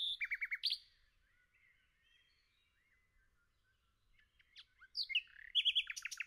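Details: Nightingale in the forest: a rapid run of repeated chirps and a rising flourish, a quiet stretch with faint distant warbles, then scattered sharp notes building into a loud, choppy, pulsing series.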